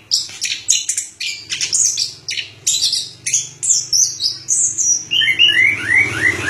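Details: Orange-headed thrush in a long varied song: dense, rapid high chattering notes repeated several times a second, then clearer descending whistled slurs; low background hum throughout.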